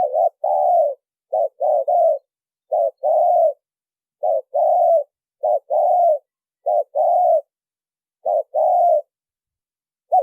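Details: Spotted dove lure call, clean recording: a steady series of paired coos, a brief wavering note then a fuller drawn-out coo, repeating about every second and a half.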